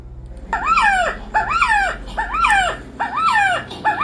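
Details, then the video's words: Five harsh, slurred calls, each dipping then rising, repeated about once a second over a faint low hum, presented as the croak of the Resplendent Quetzal, the sacred bird whose call the clap echo at Chichén Itzá's pyramid resembles. "esto que van a escuchar ahora es el graznido del quetzal."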